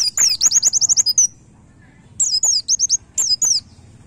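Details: High, sweet white-eye master song in the fast nembak style, meant for daily playback to caged birds while they are aired: a quick trill of bright notes, a pause of about a second, then short bursts of swooping whistles.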